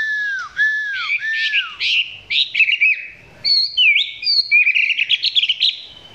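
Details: Chinese hwamei at close range with a song described as not yet fully developed; three repeated downslurred whistles open, followed by varied chattering, twittering and fast warbled phrases.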